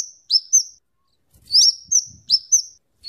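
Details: Scarlet-headed flowerpecker, a bird used as a tutor for other songbirds and for luring: thin, high whistled notes, each a quick upward slide then a flat tone, given in pairs about once a second.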